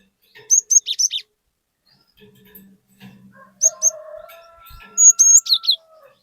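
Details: Cinereous tit in full song, used as a lure to prompt an untrained bird into loud singing: two bursts of high, sharp chirped notes, between them a faint steady whistle and a low hum.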